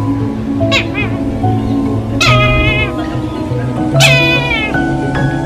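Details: Brahminy kite (Haliastur indus) giving three drawn-out, wavering, cat-like mewing calls, each falling away, about every one and a half seconds over steady background music.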